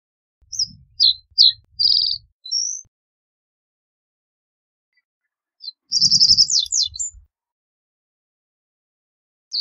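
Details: Reed bunting repeating its song twice, about four seconds apart: scattered sharp chips and a short buzz, then a denser rattling run with falling slurs. Soft low thumps under both phrases.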